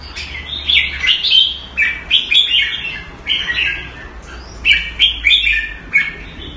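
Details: Red-whiskered bulbul kept in a cage in Singapore, Thai style: cheerful whistled phrases of three or four liquid notes, repeated roughly every second with short gaps, over a faint low hum.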